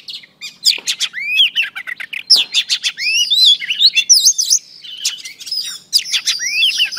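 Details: Female oriental magpie-robin singing to stir a male: a dense, loud stream of sweeping whistles, hooked slurs and sharp clicks, with brief dips, over a faint low hum.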